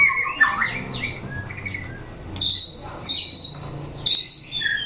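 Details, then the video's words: Shama song in a 'chảo lửa' test for fighting birds: jumbled warbled notes at first, then a pause and bright high whistles in short bursts, with faint low room hum underneath. "Chảo lửa test chim đấu (shama bird singing)"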